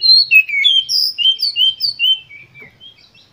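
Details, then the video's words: Energetic Oriental magpie-robin song meant to stir other birds into singing: a fast run of clear whistled notes, each sliding down, about eight in quick succession, fading into softer trailing whistles. "Pancingan Kacer Gacor Full Emosi"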